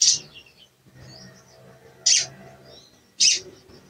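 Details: Lure call of a sooty-headed bulbul, aimed at a bird that sings poorly. Three loud, clipped high notes spaced one to two seconds apart, with faint thin whistles between them.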